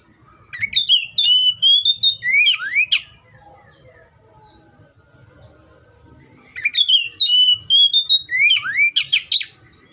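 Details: Two long song phrases from an Oriental magpie-robin, each a string of drawn-out whistles and bright rising and falling slurs, with soft low rumble in the gap between them.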